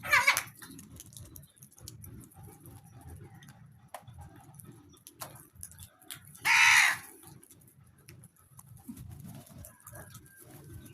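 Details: Crows among hens: two harsh, rasping caws, a short one at the start and a longer, louder one in the middle, over a low rumbling background with faint clucks and ticks.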